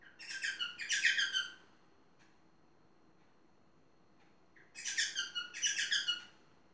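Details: Pet talking parrot making two separate bursts of scratchy, harmonic chattering, each about a second and a half long, with a quiet pause between them in a small room.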